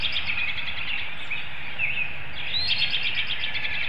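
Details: Bald eagle calling at a nest in Hanover, Pennsylvania, on 25 March 2019 around 7 AM, during incubation as one bird prompts its mate to take over. Rapid, high, pulsed chatter comes in bursts over a steady morning songbird chorus.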